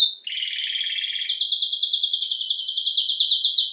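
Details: ['Domestic canary song that opens with a dense buzzing trill and shifts into a long run of rapid, evenly repeated high syllables.']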